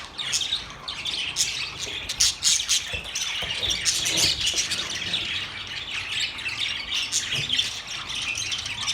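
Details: Several budgies keep up a steady high warbling chatter, rapid scratchy chirps layered over one another with occasional sharper squawks throughout.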